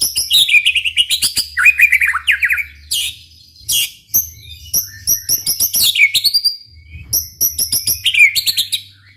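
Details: Loud White-rumped shama song intended to get other shamas singing: rapid chattering trills, swooping whistles and crisp high chips in tight bursts, backed by a low continuous hum.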